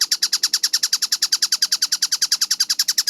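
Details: Kingfisher known as tengkek buto, in a fast, clear-voiced masteran recording from 4 August 2026: short grating notes repeated in quick succession, roughly three per second, forming a tight, even rattle with nothing else audible.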